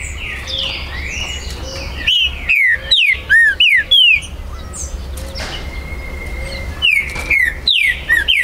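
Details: Breeder's captive trinca-ferro, or green-winged saltator, recorded 19 September 2020 to stir territorial rivals into song. Faint background chatter gives way to six loud down-slurred whistles, a pause, then four more ringing notes.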